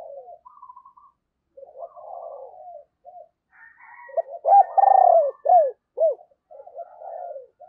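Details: Spotted dove used as a decoy calls to draw in wild doves. Muffled low coos open the recording, then a strong burst of four or five loud, arched coos follows, trailing into softer cooing.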